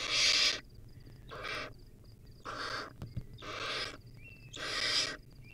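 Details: Wild barn owl owlet at a nest, feeding on a rodent: five harsh, breathy hissing screeches, each about half a second long and spaced unevenly, with faint thin high ticking notes between them.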